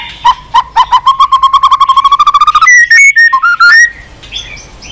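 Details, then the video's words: White-rumped shama song opening with a loud run of short repeated notes that speed up and climb slightly, then breaking into clear, higher whistled notes that rise and fall, ending in quieter faint chirps. "Kích Chòe lửa Lên Lửa, hót nhiều"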